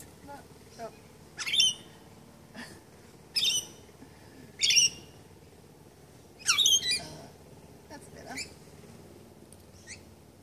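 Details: Lorikeets being hand-fed lorikeet food in March 2015 give harsh, grating screeches in about five short bursts a couple of seconds apart, with faint human voices in the background.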